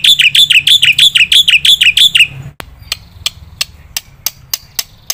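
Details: Black-winged myna song for training birds: a quick regular series of loud, buzzy, down-hooked notes, followed by scattered sharp clicks.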